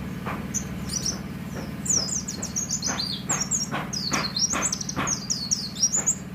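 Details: Roadside Oriental white-eye in full voice, rapid high tweets and twittering slurred notes following closely one after another, with a constant low rumble underneath.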